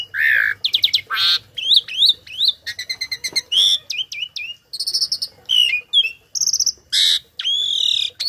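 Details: Tame caged starling, kept as a tutor singer for other birds, pouring out a loud, varied medley of imitations: rising whistles, buzzy harmonic notes, rapid stuttered chips and sweeping slurs, separated by brief pauses.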